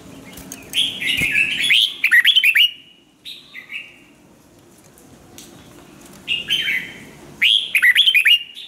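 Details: Decoy Red-whiskered bulbul singing for song training: bright warbles leading into a rapid series of chirped notes, some soft short calls, a quiet gap, then two more energetic warbled phrases.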